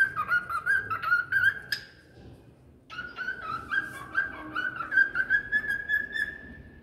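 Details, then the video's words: Parrot giving a series of quick, pure whistled notes, pausing about a second midway, then resuming with a long chain of evenly spaced, slightly rising whistles that trail off smoothly. "Parrot whistling"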